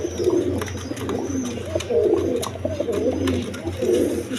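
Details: Domestic pigeons of local and foreign coloured breeds, kept indoors, giving low rolling coos in overlapping bursts about every second, over a steady low hum.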